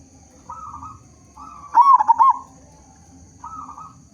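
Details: Loud-voiced local zebra dove singing as a lure to set other zebra doves calling: mellow cooing phrases around one brief louder burst of quick, rolling coo notes, with a low rumble and a thin high whine behind.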